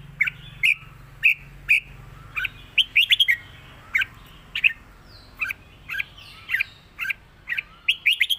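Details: A caged red-whiskered bulbul (Pycnonotus jocosus) sings bright, bubbly whistled phrases in quick bursts, about two each second, with a faint low hum behind.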